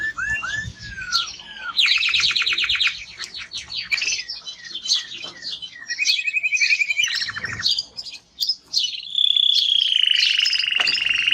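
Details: Energetic timbrado canary song mixing rapid trills, rolling chirps and high whistled notes, closing with a sustained buzzy high trill.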